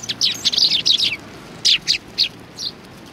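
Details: Sparrows gathering at a Tenmangu shrine on 25 November 2020 to be fed; a quick run of sharp chirps, then four spaced chirps trailing off.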